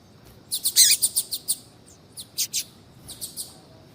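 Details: Calling female double-collared seedeater (coleiro tui tui) meant to fire up a cold male into singing: a rapid series of bright high chirps, then a short pause and two smaller groups of thinner notes.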